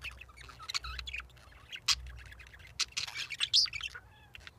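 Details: Pet English budgerigars on a cold California winter day chatter with quick, high chirps and squeaky warbles in short irregular bursts.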